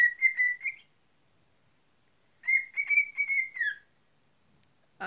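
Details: Pet cockatiel whistling two short phrases, each a steady, slightly wavering tone broken into quick notes, separated by a pause of about two seconds, amid a person coaxing for a kiss.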